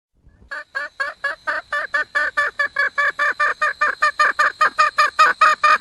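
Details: Wild junglefowl hen calling for a male: after a brief quiet start, a long run of rapid, harsh, nasal notes repeats about two to three times per second at a steady pace. No other sounds are heard.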